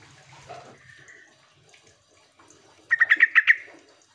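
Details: Lure call of the sooty-headed bulbul (trucuk), played to draw reluctant birds into calling back: after quiet whistled fragments and low hum comes a loud, rapid run of about six sharp, chattering notes.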